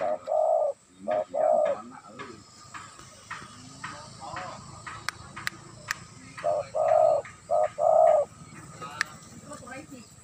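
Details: A tame spotted dove cooing in low, hollow bursts, phrases of two or three coos repeated over several seconds. Human voices talk in the background and a few sharp clicks are heard.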